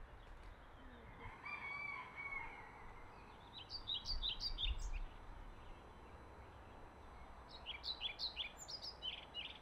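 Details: European pied flycatcher (Ficedula hypoleuca), singing male, recorded 12 May 2024 at Middelaar, the Netherlands: short phrases of high, sweet, rhythmic notes over steady background noise.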